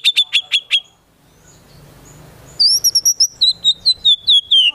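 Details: Murai batu, the white-rumped shama, in lively song: a few loud chopped notes, a quiet pause, then a quick string of bright, high whistled notes that slowly drift lower.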